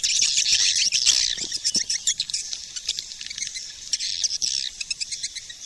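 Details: Swiftlet calling sound used as a lure (SP4, 2020): busy high twittering chorus with squeaky chirps and scattered quick pulses throughout.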